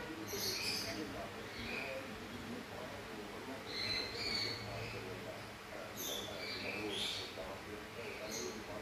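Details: A pet grey parrot talking, announcing it needs to poop, speaks in short, high-pitched, word-like bursts, several phrases over a few seconds, against a soft room hum.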